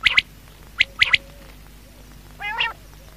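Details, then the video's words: Night calls of a quail: quick high double chirps repeated three times within a second, followed after a pause by a short hoarse, nasal squawk, with a constant background hum. "Quail|Night|Best|Sound| Batair Awaaz"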